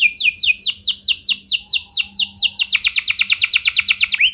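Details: Canary singing to encourage other canaries into long song. Steady repeated falling whistles about twice a second speed up into a quicker, louder trill of high sweeping notes, ending on a rising slide.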